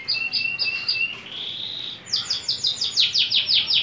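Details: {'caption': 'Persian canary: a few paired high notes over a low whistled tone, a smooth rising whistle, then a bright rapid run of repeated downslurred notes.'}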